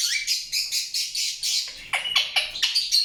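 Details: Indian ringneck parakeet repeating short raspy chirps about four times a second, a steady pulsing series that turns into sharper downward-swept notes near the end.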